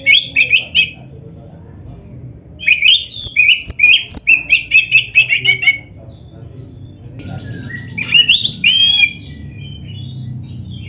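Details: Singing Oriental magpie-robin, used to train other magpie-robins to answer: quick runs of sharp whistled and chattering notes in fast repeated bursts, separated by short quiet gaps, over a steady low hum.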